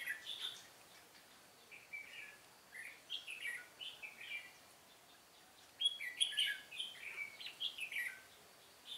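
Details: Red-whiskered bulbul used as a decoy bird while trapping wild bulbuls in Vietnam: a run of short bubbly, warbled chirps, some rising and falling, given in quick uneven bursts, with faint background noise.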